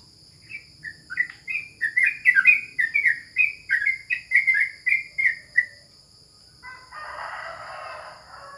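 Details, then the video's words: Caged yellow-vented bulbul kept at home during a break in bird contests, giving a lively run of short, bubbly whistled notes, rising and falling, about three per second, then a soft rustling noise at the end. "Lomba Burung Libur Beginilah Aksi Trucukan"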